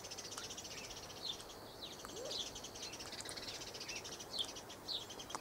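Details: Flock of galahs at a late afternoon supper, 23 November 2013, giving busy overlapping short, scratchy chirps and brief falling squeaks, with a thin sustained high whine and soft background hiss.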